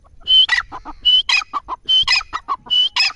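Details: Grey francolin giving a rapid, repeated phrase: a sharp level whistle, then a burst of harsh, clucking notes, cycling about every 0.8 seconds.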